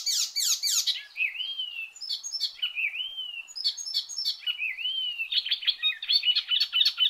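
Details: Loud, vigorous Icterine warbler song: harsh high sweeping notes open, followed by several clear slurred whistles, each rising then falling, mixed with scratchy chatter and a busy jumble of high notes at the end.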